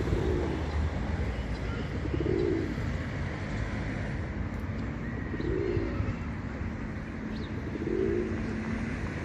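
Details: Group of pigeons cooing: soft, low, rounded coos rising and falling, heard at about three-second intervals beneath a steady low rumble like passing traffic.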